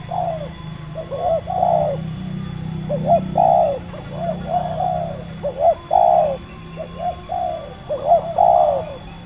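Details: Spotted dove, a wild Indonesian bird with a medium voice, calling during decoy trapping: soft hollow coos in small clusters of two or three, some slightly drawn out, separated by short pauses, with low rumbling noise beneath.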